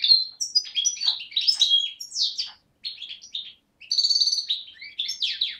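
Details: Young European goldfinch of the parva subspecies, hatched 2011, from Beni Snassen on the Morocco–Algeria border, recorded 8 January 2012: rapid twittering song of bright tinkling notes and buzzy trills, broken by two brief pauses.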